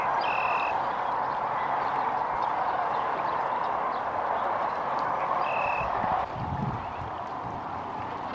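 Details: Many migrating sandhill cranes at a spring stopover near Kearney, Nebraska, calling at once in a dense, steady din, rolling, overlapping rattles blending into a continuous roar, with two brief high whistled notes.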